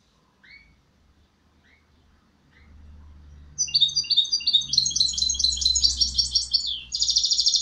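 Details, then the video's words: Goldfinch hybrid singing: after a few faint chirps, a fast, high, tinkling twitter of rapid repeated notes begins and runs continuously, ending in a dense buzzy trill, with a low hum underneath. "Mixto de Jilguero"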